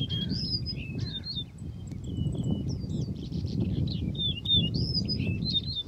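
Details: Yellow-breasted Bunting male singing: clear fluting whistles and quick slurred notes repeated several times, heard over steady low rumbling wind or outdoor noise.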